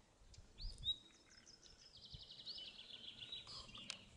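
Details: A common nightingale in Pszczyna county, southern Poland, on 28 April 2016 sings a rich phrase of clear whistles that runs into a quick series of repeated high notes, with faint background noise.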